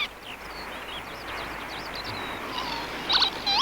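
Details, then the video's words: A male Northern Lapwing high above a water meadow gives his alarm to protect the nest, where the hen sits while a carrion crow threatens. The calls are wheezy, slurred and high, rising and falling, repeated quickly over a steady rural background hiss. "High above, the male screams his alarm. His instinct is to protect the nest."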